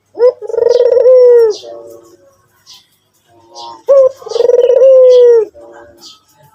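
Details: Barbary dove, white form, giving two full cooing phrases: a brief upward note, then a long trembling low coo falling at the end, then quieter after-notes; thin high chirping of other birds in the background.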